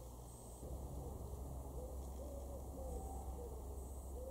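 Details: Common wood pigeon (Columba palumbus) in a garden in Weener, East Frisia, northwest Germany, September 2023, giving soft, hollow cooing notes that each briefly rise and fall, repeated several times over a steady low rumble.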